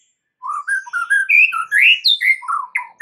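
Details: White-rumped shama lure song played so other shamas respond: a fluid string of clear whistled notes rising and falling in pitch, rich and melodious.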